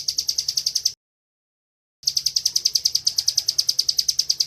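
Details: Bar-winged prinia singing its fast 'ngebren' training song: quick, evenly spaced high chirps, several each second, cut by a brief silent gap before the same rapid run resumes, a faint low hum beneath.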